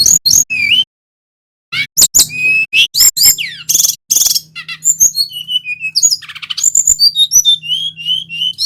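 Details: Male brown-chested jungle flycatcher, local bird endemic to Bali, singing a lively rolling lure song: high whistled notes, rapid descending trills and chattering bursts after a short pause, with a steady low hum underneath.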